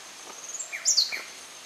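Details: A Yellow-bellied Siskin at Buenaventura Reserve, Ecuador, gives a quick burst of thin, very high twittering notes, preceded by a couple of softer rising chirps, over a steady high insect-like hiss.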